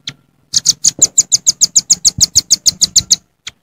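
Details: Velvet-fronted nuthatch heard in the wild, giving its jontrot call to rivals: one high chip, then a rapid, even series of about sixteen piercing notes, ending in a single stray chip.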